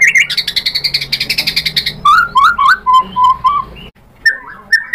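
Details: White-rumped shama singing to goad a rival into answering: about fifteen evenly repeated ringing notes, followed by looping warbled whistles and short phrases after a brief pause.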